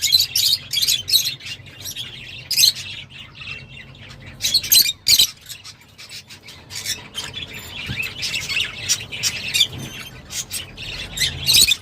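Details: Lovebirds chattering continuously, shrill high squeaks and chirps in irregular bursts, about three per second, with a faint low hum beneath.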